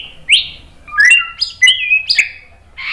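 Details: White-rumped shama lure song: a sharp upward flick, quick whistled notes at several pitches, some sliding up, then a closing scratchy burst.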